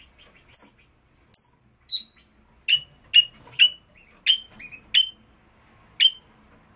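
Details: Red-rumped parrot singing to stimulate a female and male to mate: short, sharp whistled chirps, some high and clear, others lower and slightly buzzy, given in a loose series roughly every half second with quiet gaps.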